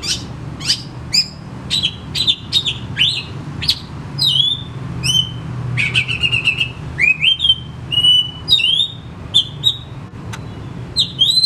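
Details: Oriental magpie-robin (kacer) in full song, played as a lure to rouse reluctant kacer at home into singing: a rapid, varied run of clear whistled notes, slurs and short chattering bursts, with frequent pauses, over a low steady hum.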